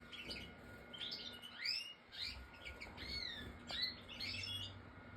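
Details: European goldfinch singing: bright, liquid twittering phrases of quick rising and falling whistled notes in bursts about every second, with a steady faint electrical hum underneath.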